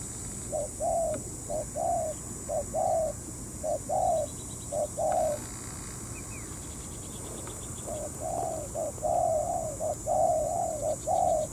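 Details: Decoy spotted dove on a ground trap, cooing to lure a wary wild dove down into a territorial fight between morning and noon; low mellow coos in short groups of two or three, repeated steadily with brief pauses, over a constant high insect drone.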